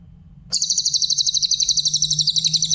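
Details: A clear grey-headed canary-flycatcher used for training other songbirds bursts into a sharp, high trill of rapid, evenly beating notes lasting over two seconds, above a faint low hum.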